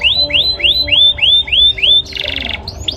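A male canary sings a rapid run of six rising whistled notes, about three per second, then breaks into a dense buzzy trill.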